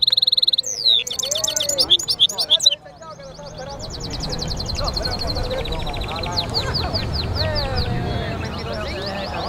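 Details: European goldfinch mule singing loud, rapid metallic trills and twitters for a few seconds, followed by low background noise with faint voices and scattered soft notes.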